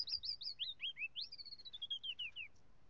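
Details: Northern mockingbird singing: a quick run of high, sharply down-slurred whistled notes, several close repeats, then a longer falling phrase and a few descending chips over faint background hiss.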